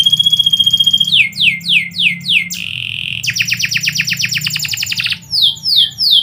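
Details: Canary singing at midday: a rapid varied song of descending whistled sweeps, a sustained buzzy note, then fast repeated trills and more downslurred whistles, high-pitched and loud, with a low hum underneath.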